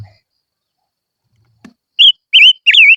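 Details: Silver-eared mesia lure song starting after a quiet pause and a soft knock, with three loud warbling whistled notes in quick order.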